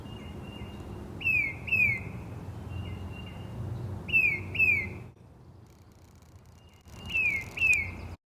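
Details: A tufted titmouse in the wild calls loudly, giving clear, downslurred whistles in quick pairs, each pair about three seconds apart, with fainter notes between, over a low outdoor rumble.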